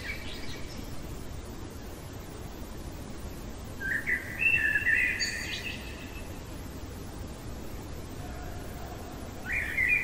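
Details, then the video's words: Common blackbird singing at night: one short, mellow warbled phrase with a thin, high ending, then a brief start of another phrase after a pause. A constant low hiss runs throughout. "Merle chantant au cœur de la nuit"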